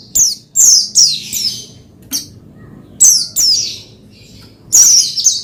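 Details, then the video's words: Oriental white-eye (pleci) song meant to rouse another pleci into singing: clusters of shrill, high-pitched chirping notes, some in quick doubled bursts, with short quiet gaps between phrases. "Menaikan Emosi Burung Pleci Bahan Agar Pleci Gacor Cepat Bunyi Rajin Gacor"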